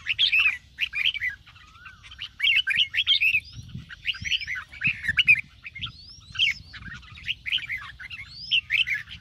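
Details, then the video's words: Morning 'ché' singing of a red-whiskered bulbul, played to train birds and rouse them to sing. Quick chirpy, warbling bursts come in clusters about every second, with brief upslurred whistles between them and a quiet background. "chào mào hót sáng QUÁ HAY - CHÉ KÍCH BỔI CĂNG ĐÉT"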